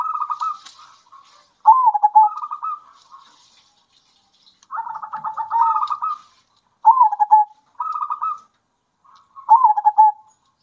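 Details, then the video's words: Zebra dove song from local and farm-bred birds in turn, to excite other doves into singing: a series of rolling trilled coos, some level, some with a downward swoop, spaced by short silences. "Kombinasi Suara Perkutut Lokal Gacor Bikin Perkutut Emosi"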